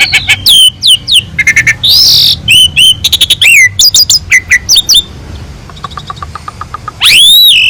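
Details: Asian pied starling (jalak suren) master song for training other birds: fast series of clipped whistles, downslurred chirps and a harsh buzzy note, then a soft ticking run and a loud rising whistle at the end.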